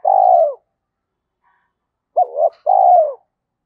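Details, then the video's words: Spotted dove call meant to spur decoy birds to coo: a long low coo ends one phrase, then after a pause a clipped note, a wavering note and a drawn-out falling coo follow. "tiếng cu gáy thúc rút bổi nghe nhanh về cội/ cu gay kich boi nhanh noi gù"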